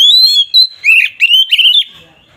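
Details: Oriental magpie-robin song, agitated and used to provoke rival birds; a sustained high whistle gives way to several throaty, slurred notes dropping and rising, ending in fading scratchy twitter.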